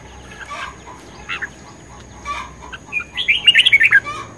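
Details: Red-whiskered bulbul in competition singing: soft scattered chirps over a steady background hum, then a louder quick warbled phrase of rising and falling mid-pitched notes near the end.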